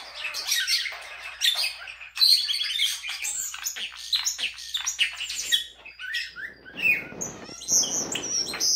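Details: A pet common starling on a bed, trying to wake its owner from a nap, sings a busy, rambling medley of clicks, rattles, wheezy notes and thin whistles, nearly continuous for nine seconds.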